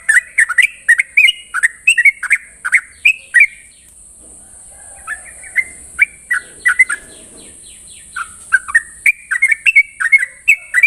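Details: Yellow-vented bulbul (Pycnonotus goiavier) singing in the morning, quick bubbly, chirping phrases of two or three notes with a brief pause midway, over a steady high insect-like hiss.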